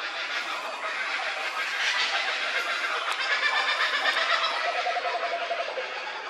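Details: Kookaburras at Cilento park laughing in a loud, raucous chorus of rolling, cackling hoots.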